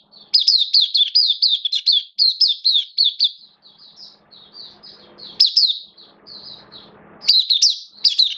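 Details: Oriental white-eye kept as a caged songbird, recorded 11 September 2022 in slightly lowered form, delivering buka (opening) song: long runs of rapid, high, rising-falling chirps interleaved with softer sweet warbles, and several fresh loud bursts.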